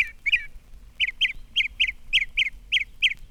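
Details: Northern Mockingbird singing in spring from a telegraph pole, thrasher-like, short bright squeaky notes around two to four kilohertz, each little group of notes repeated three or four times in quick succession, roughly two per second.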